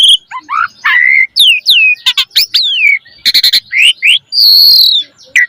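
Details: Lively Asian pied starling song with rich phrasing, meant as a lure for caged birds. Quick rising and falling whistles mix with clicking rattles and a long downslurred whistle near the end.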